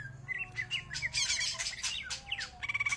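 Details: Greater green leafbird singing vigorously: a fast, varied run of short chirps and sharp whistled slurs broken by harsh, scratchy bursts, ending in rapid repeated notes, over a faint steady low hum.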